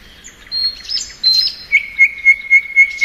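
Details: Short spring phrase from a thrush nightingale: two or three high whistled notes, then a steady piping note repeated about every quarter second.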